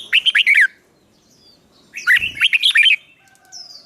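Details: Songbird trained in fighting song, a newly caught bird being roused; two bursts of rapid, loud warbled chirps separated by a pause, with a faint thin whistle at the end.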